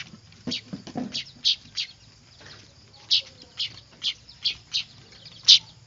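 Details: Noisy weaver chicks, used as a lure for catching birds: a run of bright, high, short chirps coming every half second or so, with some softer lower chirps at the start.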